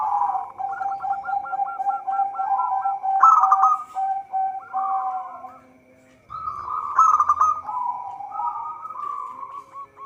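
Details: Active local zebra dove, recording intended as a lure for trapping: overlapping quick hooked coos and wavering trills build to two loud rolling bursts separated by a brief pause, over a faint steady whine.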